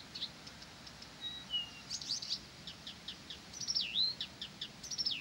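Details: Blyth's reed warbler singing without pause: ticking notes, a low whistle falling in pitch, then loud looping whistled slides that rise and drop, amid gentle background hiss.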